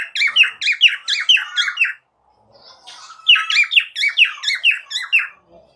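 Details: A pet cockatiel, playing with a ring, chirps in rapid, bright, repeated bursts, pausing briefly before chattering again.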